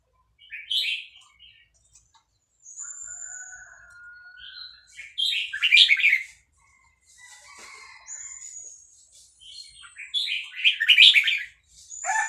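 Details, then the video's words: Red-whiskered bulbul, a caged Vietnamese bird, sings along excitedly to a played recording of hatched chicks. Repeated clusters of loud, bright warbled notes come every few seconds, with thin whistles and softer chatter in between. "นกกรงหัวจุกเวียดนาม ต่อดอกเร็ว เปิดยั้วลูกนกฟักแล้วคึกร้องตาม"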